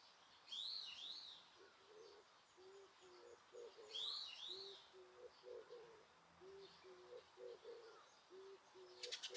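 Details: Several birds heard in Osaka Castle Park, Japan, with noise reduction: steady low cooing notes repeat in short groups, topped twice by bright, looping high whistles and a final burst of rapid ticks.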